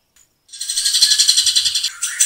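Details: Grey-cheeked bulbul delivering dense, coarse rapid-fire song: a harsh, buzzy rattle of fast regular pulses runs almost two seconds, with a faint low thump underneath and a final short rasping burst.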